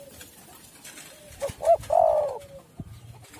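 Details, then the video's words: Spotted dove coo used as a calling lure: faint low coos, then a quick double note and a drawn-out hoarse coo, with a quiet hiss and low rumbling behind. "tekukur super gacor suara burung derkuku"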